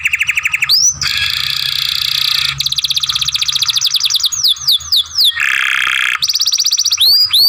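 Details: Young caged canary singing a tutor song with long grumbling passages: sustained buzzy and rapid trills, alternating with rows of sweeping whistled notes, changing tour every second or two.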